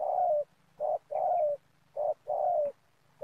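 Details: Spotted dove lure calling while trapping in oil palm plantation, rhythmic couplets of a brief coo and a sustained falling coo, repeated closely, with a quiet background hum.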